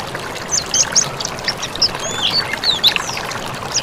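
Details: Mountain white-eye song recorded as a training master for other birds: thin, high, scattered twittered notes, quick sliding chirps and short trills, fairly soft over a steady hiss.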